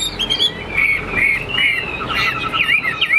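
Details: Brief stretch of caged Chinese hwamei song, from a display and fighting bird, with drawn-out whistled notes followed by fast looping, up-and-down slurs.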